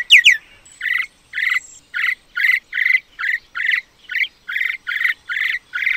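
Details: Common myna making an opening pair of sharp falling whistles followed by a long steady series of harsh, buzzy chattering notes, about two per second, quieter than the opening.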